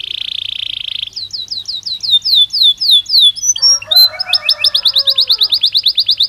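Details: Belgian canary singing naturally, for training other canaries to sing: a steady buzzy trill for a second, then a run of downward-slurred whistled notes about four per second, ending in a fast high rolling trill.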